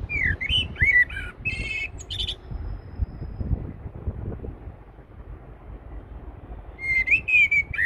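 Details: A Eurasian blackbird singing at Heidelberg Castle gives mellow, fluted phrases with scratchy high twitters, pauses several seconds, then begins again over a steady low background rumble.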